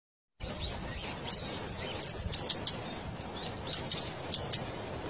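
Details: Zitting cisticola lure call of the cingklong style, used for catching wild birds: a few softer chipping notes, then sharp, very high ticking 'zit' notes in pairs with short gaps between them.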